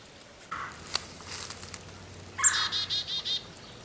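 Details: In a spring backyard near Hawk Mountain Sanctuary, a Red-bellied Woodpecker gives a brief harsh note, then a rolling series of about five quick burry notes, with a few sharp clicks in between.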